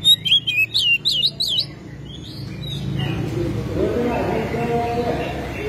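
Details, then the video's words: Oriental magpie-robin, a kept songbird, giving a quick series of bright, looping whistled notes in the first second and a half, followed by fainter notes and a low murmur of background noise. "KACER SUPER GACOR BUKA EKOR BONGKAR ISIAN"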